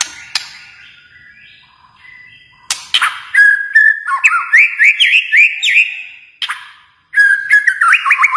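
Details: Kalimantan white-rumped shama: sharp clicks and harsh bursts, then a long sequence of rapid whistled notes sweeping up and down, a pause, and another fast looping whistled run.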